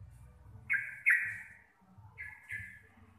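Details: Local Javanese sooty-headed bulbul giving loud paired notes: two strong, slightly buzzy slurred whistles close together, a pause, then another similar pair, over a quiet low rumble.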